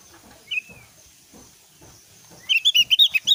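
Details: Javan grey-throated white-eye, a lure recording meant to set other opior birds singing back; one slurred whistle, then a fast, bright run of about nine high chirping notes, in an otherwise quiet room.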